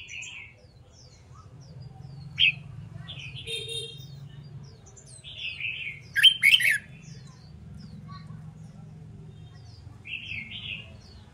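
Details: Red-whiskered bulbul trained for song contests, with scattered short whistled notes and a louder mid-clip flurry of sharp slurred notes over a low background hum.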